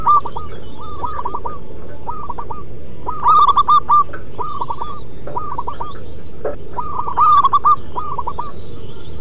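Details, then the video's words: Repeated cooing phrases from local wild zebra doves. Clusters of clipped, hooked coos come roughly every second or two, and the brighter rolling bursts near the fourth and eighth seconds sit over constant low background noise. "Perkutut MASTERAN BUNYI Manggung Terlama"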